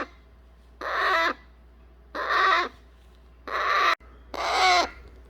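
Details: Young pet eclectus parrot fussing to be picked up after its weaning meal. Four rasping, buzzy squalls of equal length sound at steady intervals of about one and a half seconds in a quiet room.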